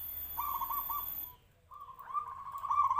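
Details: Local zebra dove of the Noyorono katuranggan type, noted for a big voice, cooing in two phrases of quick bubbling rolled notes at a steady mid pitch, separated by a brief pause, with faint steady hiss behind.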